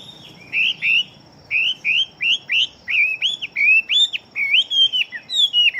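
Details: Fighting-type Chinese hwamei with a large build delivering fast song: a string of about fifteen loud, clear whistled notes, each bending up then down, spaced by short gaps and growing more varied toward the end.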